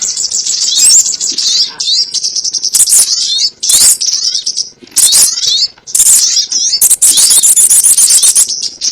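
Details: Sogon bird lure call for trapping: loud, high-pitched chattering with sharp chirps and sweeping notes, broken by short gaps, several voices overlapping throughout.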